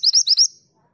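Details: Female mantenan gunung calling to the male: four quick high chirps in about half a second, each sweeping upward, then silence.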